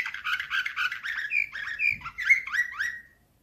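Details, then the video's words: Canary in 2024 singing Slavujar-style, a nightingale-like sequence of rolling trills followed by a series of rising whistled slurs that fade out, with a brief low thump midway. "Uccello dell'usignolo delle Canarie Slavujar"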